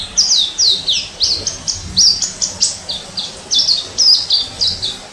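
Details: Orange-headed thrush singing in the wild, recorded in 2018: a rapid run of loud, varied whistled phrases, each a sharp upward or downward sweep, delivered almost without pause over quiet background hiss.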